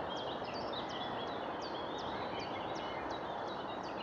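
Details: High, thin, squeaky Long-eared owl nestling calls at Irschener Winkel, repeated several times a second, over a steady rushing background noise.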